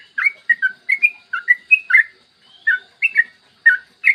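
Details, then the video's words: Morning song of a yellow-vented bulbul in the long 'ropel' style, played to coax other bulbuls to sing: short liquid whistled notes in quick bursts, a brief pause midway, then more chirpy phrases. "PANCINGAN TRUCUKAN AGAR BUNYI burung TRUCUKAN GACOR ROPEL PANJANG"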